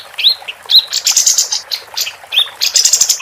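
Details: Female capped white-eye singing steadily: rising whistled slurs, each followed by a buzzy, high chattering burst.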